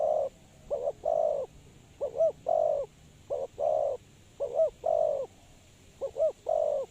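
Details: Spotted dove call of the kind used as a lure for trapping: low, soft coos in repeated phrases, two or three short notes followed by a longer drawn coo, each phrase about every 1.3 seconds, with faint background hiss.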